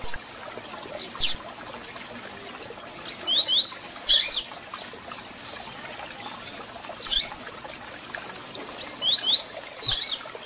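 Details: Song of a double-collared seedeater with chip calls, used to fire up a captive bird: isolated sharp chips spaced seconds apart, then two brisk strings of high, thin downward-sliding notes against a quiet hissy background.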